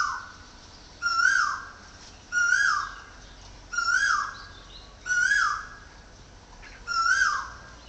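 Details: Woodpecker heard from a home in Chonburi Province, Thailand: a steady series of five strong calls spaced about every 1.3 seconds. Each is a brief upward-swelling note falling off sharply, with bright upper tones, against a still background.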